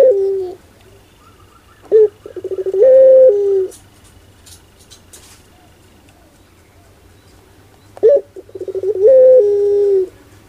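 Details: Barbary dove giving its funny 'pelung'-style coo: a sharp opening note, a run of rapid throbbing pulses, then a long drawn-out level tone, heard twice about six seconds apart, with a faint low hum behind.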